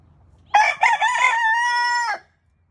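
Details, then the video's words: Rooster crowing: one loud cock-a-doodle-doo, starting with two choppy syllables and ending in a long, steady, harmonic note held for about a second before breaking off. "Cock-a-doodle-doo! Rooster crowing"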